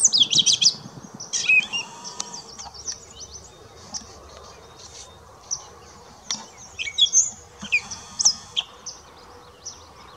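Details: A gray catbird sings in May (20 May 2016) at St George Marsh, Charlotte County, New Brunswick: a rambling string of squeaky, chattering and whistled phrases, each one different, broken by short pauses.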